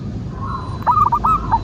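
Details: Local zebra dove in a lure recording used to make other doves sing: a short phrase of soft cooing notes, a higher opening coo followed by a few quick, rolling lower coos, over a steady low background hum.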